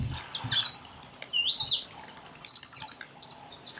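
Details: Several sharp, sliding screeches from Meyer's parrots gathered at a waterhole in Botswana, each brief and high, some rising and falling in pitch, with soft low thumps at the start.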